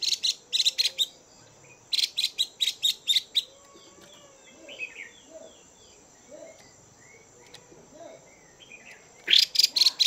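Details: Female Chinese hwamei's chùi call for stimulating males: two rapid runs of harsh, rasping notes open the recording, then a long quiet stretch with faint soft chirps, then a closing burst of scratchy chatter.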